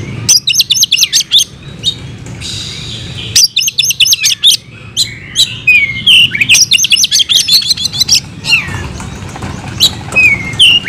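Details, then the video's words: Oriental magpie-robin (kacer) in lively fighting song, bursts of rapid, sharp whistled and buzzy notes and trills alternating with brief pauses and slurred rising whistles. "Kacer gacor tarung bongkar isian"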